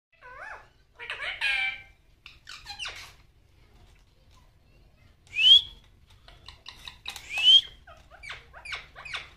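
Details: A female rose-ringed (ringneck) parakeet talking at a mirror chatters in quick, high, scratchy syllables, with bursts of mimicked speech and two sharp rising squeals.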